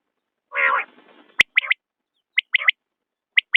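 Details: Common quail giving a short harsh nasal note, then crisp high three-note phrases, one sharp note followed by a quick pair, repeated about once a second in silence.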